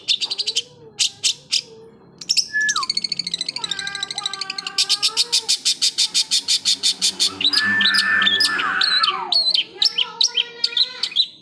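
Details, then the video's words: Long-tailed shrike in full song: sharp chips, a long buzzy rapid trill of repeated notes, a harsh rasping phrase and whistled slurs. "burung pentet/cendet gacor isian"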